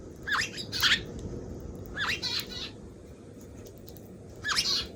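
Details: Eurasian tree sparrow calling in three short bursts of scratchy, slurred chirps, two close together near the start, then one after a pause, over a faint low hiss.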